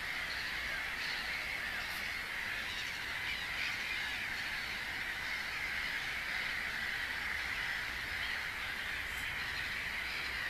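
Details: Egyptian geese at Roszków, Poland, on 7 June 2012 give a steady, overlapping stream of harsh, nasal honking calls blending into a continuous chattering din with no clear pauses.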